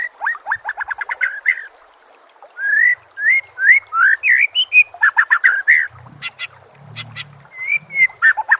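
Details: Captive white-rumped shama song for training other caged songbirds: rapid descending chips, then loud whistled slurred notes and sharp repeated clicks, with a faint low rumble near the end.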